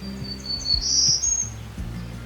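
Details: Endangered Golden-cheeked Warbler in Texas Hill Country, second half of March, picked up by a sound-ID app: a single high, buzzy phrase thickening into a brighter buzz mid-phrase, then trailing off thin and high, over low handling rumble.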